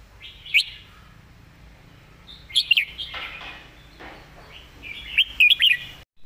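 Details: A caged Red-whiskered bulbul, a diligent singer, sings three short, bright, warbled phrases a few seconds apart, with rolling up-and-down notes, over a quiet background.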